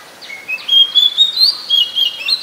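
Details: Oriental magpie-robin, a very common resident in Ubon Ratchathani, Thailand, recorded 7 January 2021: a clear run of high whistled notes, slurred and rising, repeated in quick succession with few other sounds.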